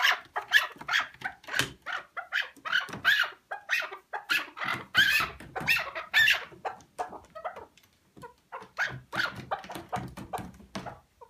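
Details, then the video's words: A partridge gives harsh, clucking chuck notes in fast bursts of several at a time, repeating steadily for about ten seconds, then pausing briefly and resuming. "KEKLİK SESİ"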